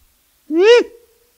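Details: Great grey owl (Strix nebulosa) uttering a single drawn-out, upslurred whooping wail that rises, then drops sharply at the end, with a faint trailing tone, against silence.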